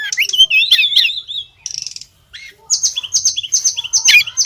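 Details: A female Oriental magpie-robin calls to draw the male: warbled whistles, a short buzzy rattle, a brief silence, then rapid high chirps repeated about twice a second.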